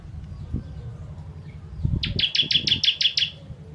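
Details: Ciblek or bar-winged prinia song in the kristal style with fiery tembakan bursts, meant for tutoring songbirds. A few low knocks come first, then a quick string of eight sharp, buzzy chips repeated evenly.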